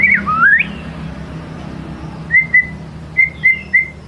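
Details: White-rumped shama song used as a lure to draw out a shama's full repertoire: clear whistled notes, an upslurred sweep at the start, then a series of short steady whistles repeated at intervals over a low background hum.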